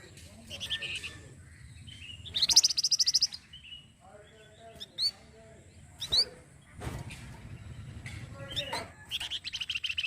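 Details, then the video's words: Flamboyan voice used as masteran for training songbirds: mixed chirps, a fast high buzzy trill, softer twitters and a closing rattling phrase, with low background rumble. "KICAU APIK UNIK DARI BURUNG MASTERAN FLAMBOYAN YANG SERING DI CARI"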